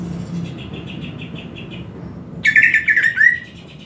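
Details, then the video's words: Greater green leafbird song used for training other leafbirds: a faint series of soft, quick high chirps, then a loud, rich warbled phrase of twittering notes, over a steady low hum. "KICAUAN CUCAK IJO SAAT DIMASTER AUDIO"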